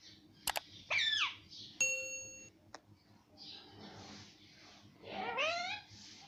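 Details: Parrot known for speaking the words mummy and papa, heard in short wavering vocal phrases mixed with sharp metallic dings and clicks, ending in a longer rippling rising utterance.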